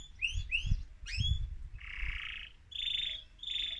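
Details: An excited male mosaic canary sings to spur other birds on. Quick upswept chirps lead into broad, dense buzzy rolls separated by short pauses.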